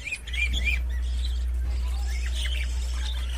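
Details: Caged budgerigars chattering in short warbled notes that rise and fall, with a steady low electrical hum running underneath throughout.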